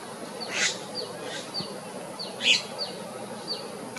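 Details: Sunda pygmy woodpecker at a nest with one chick ready to fledge, heavy rain approaching: thin, high, falling notes, about eight in four seconds at an uneven pace, a few louder and harsher, over steady background hiss.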